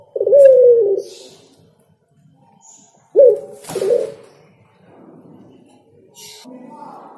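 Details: Singing spotted dove gives two separate low, mellow coo phrases about three seconds apart, each short and slightly falling, with quieter rustling and faint noises between.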